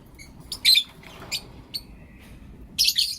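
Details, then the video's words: A Blue Opaline or Lutino Opaline lovebird chirps and calls in the morning: sharp, high, scratchy chirps in short bursts, about five in three seconds, with a faint thin whistle between them. "Lovebird Chirping Sounds and Call Sounds"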